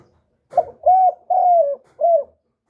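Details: Spotted dove cooing to excite other doves: after a brief scuffle, one phrase of four deep, smooth coos, a clipped opening note, two long sustained ones and a short close.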